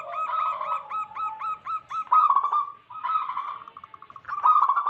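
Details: Local wild zebra doves, played to attract wild doves and to rouse doves that have stopped singing. Quick repeated looping coos run above a lower murmur, broken by loud vibrating phrases and a fast string of light notes.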